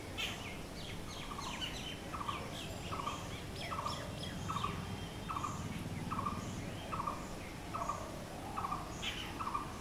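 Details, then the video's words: Blue-throated barbet delivering a steady string of short repeated notes under a second apart, while other birds twitter with high, quick chirps at the start and near the end. "BLUE THROATED BARBET | BOSONTO BOURI"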